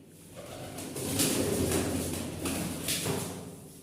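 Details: A male and a female domestic Kokka pigeon, newly arrived at a farm and still in a cage, give low, rolling coos in quick succession over steady background hiss in a small room.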